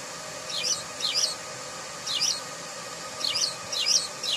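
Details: Loud, scratchy House sparrow chirps come in pairs, with a short pause between each pair. A faint steady hum sits in the background.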